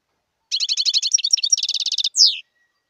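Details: Wild European goldfinch singing a fast tinkling twitter of buzzy, liquid notes, a rapid trilled run, then a single sharp rising-falling note at the end.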